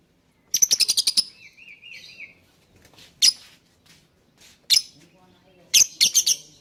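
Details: Lovebird song meant to get other birds singing: a rapid rattling run of about ten shrill chirps followed by a wavering trill, then scattered loud, harsh chirps and a closing quick triple.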